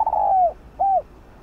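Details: Spotted dove calling as a lure for other doves: a sustained descending coo, then a single short curved note after a brief gap, clean against low hiss.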